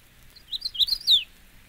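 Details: Magnolia Warbler (Setophaga magnolia) song: one brief, high phrase of quick sweet notes ending in a louder, slurred flourish, over a quiet background.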